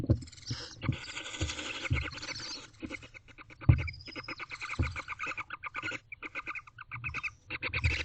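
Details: Barn owlet in a nest box at dawn, 5:42 am, making a happy twittering noise, apparently the middle owlet holding a rodent; dense rapid chittering pulses repeated through the clip, with low bumps and thuds from movement in the box.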